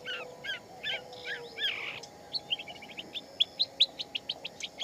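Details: Wild shama in song, opening with a few warbled, slurred phrases, then a fast run of short, sharp, evenly spaced whistled notes repeated about four times a second, with constant low hum behind.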